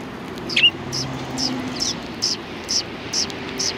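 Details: Sparrows greeting arrivals in front of a cultural hall on 7 February 2020: short, high chirps repeated about every half second, with one louder chirp near the start, over a low, steady rumble.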